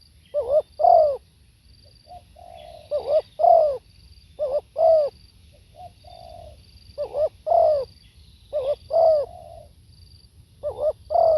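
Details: Live recording of a spotted dove giving repeated phrases: a quiet short note, a longer soft coo, then a strong double coo with a falling bend, about five phrases; faint high whistles behind.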